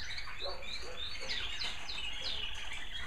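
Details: American Singer canaries in indoor bird rooms in the evening; rapid descending swept whistles repeat about every half second over lower warbling from other birds and a soft background hum.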